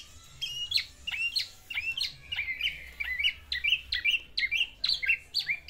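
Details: Male black-naped oriole kept as a pet, courting a female with its isian song material: a regular run of sharp, high chirps, each with a quick upward jump, repeated about twice per second over a quiet background.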